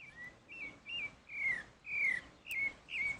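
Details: Pale-breasted thrush (Turdus leucomelas) singing in the wild: clear whistled phrases, some rising then falling, others slurring downward, delivered in quick succession about twice per second, with light background noise.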